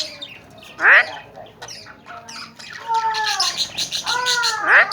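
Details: Tame, talking Alexandrine (Kashmiri raw) parrots in Pakistan give loud harsh squawks followed by rasping, speech-like chattering phrases with slurred, rising and falling tones.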